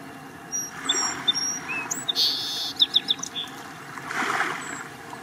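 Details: Song sparrow perched on the end of a huge beached log along the shore at Neck Point Park in the morning: a series of short, sharp high notes, then a brief fast buzzy trill, over steady surf and shore noise.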